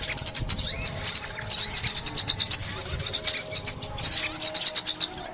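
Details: Sunbird known locally as ốc mít, the olive-backed sunbird, singing in a 2021 trapping recording: continuous high chattering with curved whistled sweeps at the start, pulsing steadily throughout.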